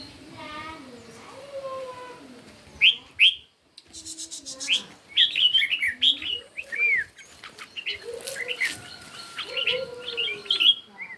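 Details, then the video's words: Red-whiskered bulbuls in morning competition singing: short bright whistled phrases, rising and falling, delivered in separated bursts with brief pauses, alongside lower warbling notes and a faint steady whistle in the background. "Chim Chào Mào Hót Đấu Buổi Sáng"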